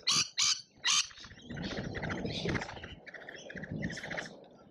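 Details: Lorikeets at a feeder in Australia during a feeding frenzy: three loud, sharp screeches at the start, then a softer murmur of chatter and low rustling.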